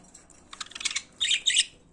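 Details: Singing pet budgerigars give a quick run of soft clicking notes, then two harsh, buzzy chirps close together.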